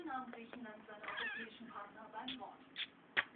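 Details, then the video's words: A pet blue-and-yellow macaw chatters in a throaty, speech-like babble of rising and falling syllables, ending in a few sharp clicks; a television voice murmurs behind it. "Gelbbrustara spricht"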